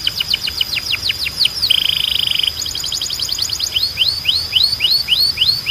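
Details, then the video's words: Belgian canary in strong, clean song: quick falling whistles, a dry buzzing trill, a high rapid chatter, then a series of looping upward-curving notes repeated steadily. "Canário Belga Cantando 2026 🔥 Canto Forte e Limpo Para Treinar Pássaros"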